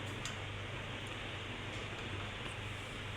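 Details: Constant mechanical hum with a few faint ticks, and no animal voice audible.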